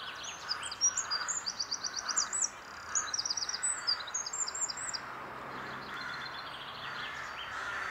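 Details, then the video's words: Eurasian wren singing in April 2021 at Glimmen: rapid high trills and clear twittering phrases in bursts of about one to one and a half seconds, over a steady low background rumble. "winterkoning april 2021"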